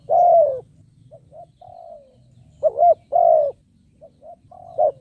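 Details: Decoy spotted dove cooing to attract wild birds: a loud falling coo, soft short hoots, then a quavering double coo and another long coo, ending with faint notes over a low hum.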